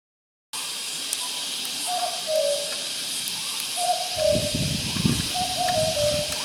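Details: A distant Common Cuckoo in Vietnam gives three soft, falling two-note 'cu-coo' calls about two seconds apart, over a steady high insect hiss and some low rumble.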